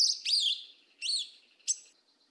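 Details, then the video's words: Yellow-legged thrush, 'mateiro do sul' song style: three high, slurred, slightly harsh whistled notes spaced about half a second to a second apart. The background is quiet. "SABIÁ PRETA CANTO MATEIRO DO SUL"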